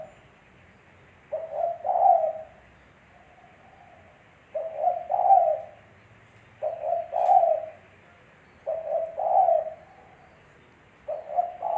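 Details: Spotted dove cooing in regular phrases, five in about twelve seconds. Each phrase is short clipped hoots rising into a longer mellow coo, with a faint click once in the background.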